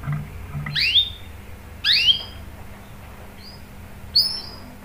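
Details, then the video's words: Lure recording of a canary meant to prompt others to sing: two loud swooping chirps a second apart, then a couple of short thin high notes. "PANCINGAN KENARI GACOR cuit cuit bikin NYAUT ikut BUNYI NGEROL PANJANG ¦ CANARY SINGING"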